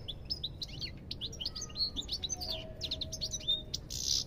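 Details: Lively European goldfinch song: a rapid, continuous stream of liquid chirps and quick up-and-down slurred whistles, closing with a rasping buzzy note.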